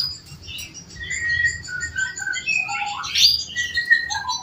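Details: Home-bred male canary singing a master song for training other birds. Varied twittering phrases with short whistled notes, a brief rising trill, and a steady low rumble in the background.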